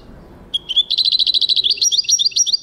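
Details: European goldfinch singing in 2023, a loud, clear phrase opening with a short whistle that runs into a rapid trill of bright high notes, then a string of slurred tinkling notes.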